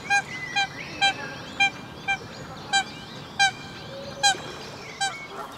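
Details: Eurasian coot, subspecies atra, in Brussels, Belgium, during May 2017, giving a series of about nine short, clipped, nasal notes at roughly half-second intervals. Fainter whistling birds sound behind.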